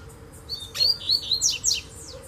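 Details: Wild double-collared seedeater singing from a distance in a bamboo thicket: a quick run of high, thin whistled notes, some sliding down, some rising sharply, ending in a few scratchy chips, over a steady low background hum.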